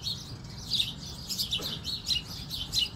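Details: Sparrow perched on a fence, calling to communicate with other sparrows: short, thin, high chirps repeated at uneven intervals, each a quick bright note, over a faint low background rumble.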